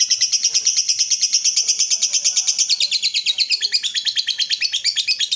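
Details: Lovebird ngekek chatter, played to stir other lovebirds into singing. An unbroken stream of shrill, buzzy pulses repeats quickly and evenly. The tone shifts and drops slightly halfway through.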